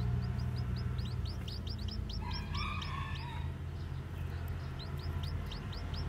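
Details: Fresh-hatched white, black-tailed bantam chicks out walking keep up rapid, high, downslurred peeps, while a faint distant crow rises in the middle against a heavy low hum.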